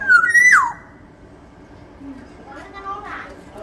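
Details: Black-naped oriole of the large Sumbawa type opening with a loud liquid whistle that rises, holds, then plunges downward, followed by quieter murmuring and faint background sounds.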